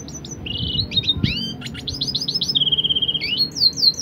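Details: Red siskin crossed with a canary, a hybrid songbird recorded as a master for training other songbirds, sings sweet, varied, high whistled phrases with quick chirps, a steady rapid trill and a fast run of repeated notes, over a faint low rumble.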